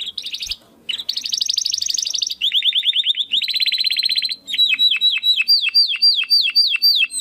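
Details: Domestic canary in 'crystal voice' style for competition bird training: a continuous medley of rapid high rolls and rattling trills shifting pitch, finishing with repeated downward-swept whistles at about three per second.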